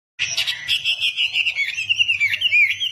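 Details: Caged wambi, a kept songbird with a loud, rocking voice, singing a continuous, rapid warble of slurred chattering and whistled notes, mostly high-pitched, with a faint low hum underneath.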